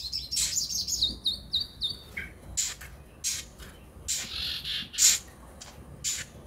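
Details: Van Hasselt's sunbird (kolibri ninja) sound used as a lure so caged birds start singing; thin, high, quickly repeated whistled notes slurring downward, then scattered sharp high chips.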